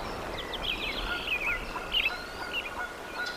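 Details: At a wild bald eagle nest in Decorah, Iowa, on 01.04.2024, a quick stuttering series of high, piping notes tumbles downward, then a few thinner squeaks follow, with a steady hiss of wind or water behind.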